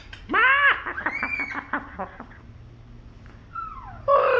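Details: A princess parrot clowning around gives loud, nasal harmonic squawks followed by a stuttering series of rattly notes, then a quieter falling whistle and another harsh squawk at the end.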